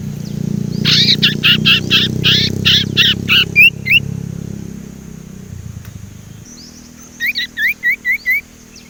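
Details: Juvenile Sumatran leafbird learning to sing opens with a rapid series of buzzy, harsh notes over low background hum, then after a pause gives a run of five short, clear whistled notes.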